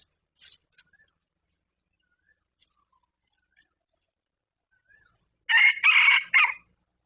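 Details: Red junglefowl at a decoy-trapping site, with a wild bird approaching quickly: faint scattered chirps and ticks, then after about five seconds a loud three-part crow, short, longer, then a brief clipped ending.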